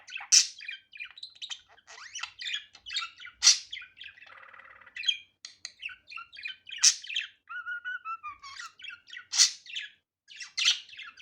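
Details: Budgerigar heard unedited and natural, warbling continuously with rapid chirps, buzzy grating notes and short whistled phrases, broken every few seconds by loud, sharp high squawks.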